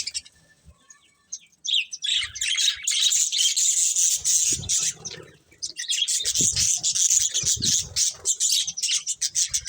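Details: Colourful budgerigars chirping while they eat: after a quiet start, long stretches of dense, high, scratchy warbling chatter, broken by a brief pause and some low taps and knocks.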